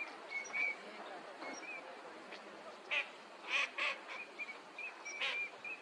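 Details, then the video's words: Eurasian teal, winter visitor, in a park at Junsai-ike green space, Chiba, Japan, February 2025: about a dozen short, clear whistled notes, some in quick pairs, others spaced irregularly, with a few louder burry bursts over a soft background hiss. "コガモ鳴き声 (Anas crecca) - カモの鳴き声 / Eurasian teal sounds"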